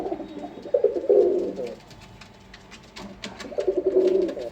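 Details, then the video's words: A male domestic pigeon, a proven breeder kept in a loft beside a black female, gives low, throaty rolling coos in two bursts, with faint room noise. "এই যে দেখুন নর কবুতর কীভাবে ডাকে।"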